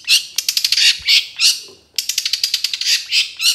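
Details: Cendet trotol chatter from a bird-training recording: harsh rasping notes rattled off in quick runs of about five per second, with louder squawky bursts between the runs.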